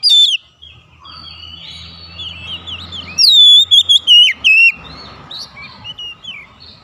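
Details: Oriental magpie-robin calling a companion, which responds. A loud whistle opens, then soft warbling follows, before a burst of five or six loud, sliding whistled notes and faint answering twitters.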